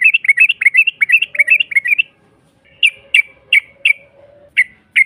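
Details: Yellow-vented bulbul lure song meant to provoke a rival into answering: quick bubbly rising-falling notes in a rapid run for two seconds, then single emphatic notes spaced roughly every half second after a pause, with a faint low hum.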